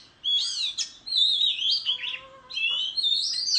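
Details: {'text': 'Oriental magpie-robin in competitive song with a tail-fanning display, countryside setting; three separated bursts of rich looping whistles and warbles, one part carrying a steady low pure tone beneath.'}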